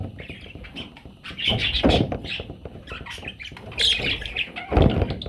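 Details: Young parrots squawking and chirping in ragged overlapping bursts, harsh and mid-high, rising in loudness toward the end, with thuds and rustling as they are handled.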